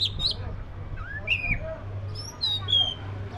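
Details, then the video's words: Oriental magpie-robin, black-breasted form, uttering scattered whistled notes, some rising and some falling, with short squeaky elements among them and a steady low hum behind. "SUARA BURUNG KACER (DADA HITAM)"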